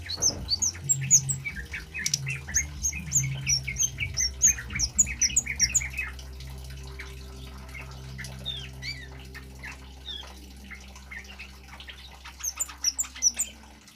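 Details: Male orange-headed thrush in full song, meant as a lure and tutor recording: busy stream of high whistled and sliding notes, fading into a quiet stretch before brief chirps return, over a low continuous hum.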